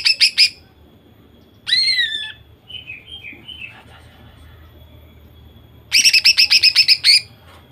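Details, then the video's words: A female greater green leafbird sings high, rapid chattering bursts of about ten sharp notes, with a falling whistled phrase and softer warbles between; a song used to provoke males into singing. "Cucak ijo betina gacor nembak sadis. Cocok untuk memancingcucak ijo jantan agar bunyi."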